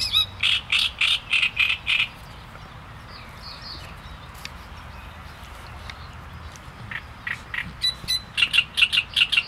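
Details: Song of a great reed warbler: a burst of gruff, chattering notes repeated rapidly, a pause with a few faint calls, then another fast run of harsh, grating syllables.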